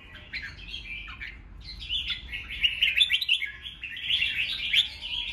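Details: Red-whiskered bulbul giving a competitive song to make newly caught birds sing along and get worked up; a short phrase, a pause, then a sustained rapid chatter of high twittering notes.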